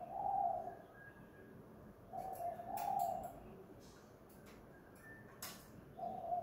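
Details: A decoy spotted dove at home gives 'kuk gantung' cooing: soft, hollow coos in short phrases with gaps between them, plus a few sharp clicks and taps in the background.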